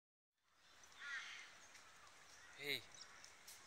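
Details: Magpie goose (Anseranas semipalmata), a rescued and rehabilitated bird at its release near Rockhampton, gives a brief, high nasal note, then a loud, resonant honk with a falling tone, over steady outdoor background noise.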